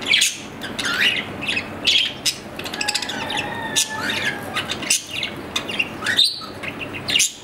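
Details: Captive budgerigar, an Australian parrot, warbling a busy chatter of clicks, squeaks and buzzy chirps, with a thin sustained whistled tone partway through.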